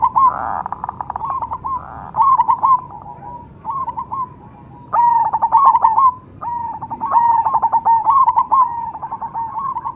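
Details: Zebra dove, cemani type, in steady cooing song: bursts of fast, clipped coo notes alternating with softer purring stretches, heard continuously.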